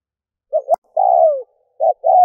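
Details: Vietnamese decoy call of a spotted dove, meant to attract wild doves. It has a short two-note start, a long drawn coo sliding lower, then another short note and a further sustained coo. A brief click is also heard.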